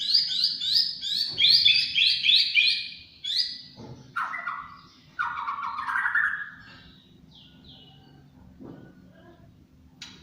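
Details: White-rumped shama, a champion bird, delivering a rapid run of sharp repeated high notes for about three seconds, followed by lower, richer whistled phrases, then quieter, with a steady low hum in the background.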